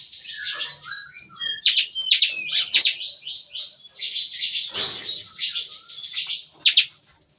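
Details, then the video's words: Morning song of a bar-winged prinia kept in an aviary cage, busy and gun-like: dense stream of high chattering and buzzy notes running almost unbroken for seven seconds, with brief whistles mixed in. "Nembak-nembak! Kicauan CiKris Pagi Hari"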